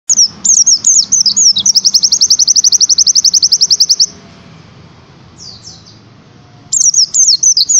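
Oriental white-eye pouring out very high, thin twittering notes that break into a fast, even trill of about thirty notes, then pause and resume.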